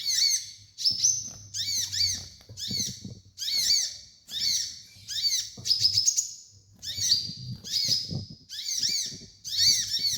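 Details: Sunbird called kolibri ninja, played as a training master song: short high phrases of chirps with descending overtones, each about half a second long and separated by brief gaps, with a low background hum throughout.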